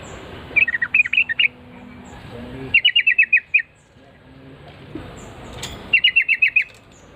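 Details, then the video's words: Yellow-vented bulbul answering a lure call with three separate bursts of five to seven fast, even chirped notes spaced a few seconds apart. Faint voices and low background noise run between the bursts. "trucuk langsung NYAUT GACOR dor setelah mendengar pancingan burung trucukan ini"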